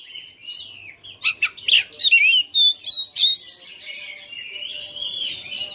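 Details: White-rumped shama kept at home as a fighter bird: scratchy buzzes and chips leading into a run of clear slurred whistles repeated roughly three per second, then a softer warbled trail.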